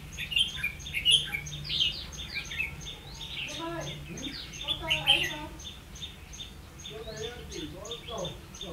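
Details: Red-whiskered bulbul used as a decoy for trapping, recorded 16 October 2016: bright chirped and whistled phrases in loose bursts, with other lower warbling notes and a steady background hum.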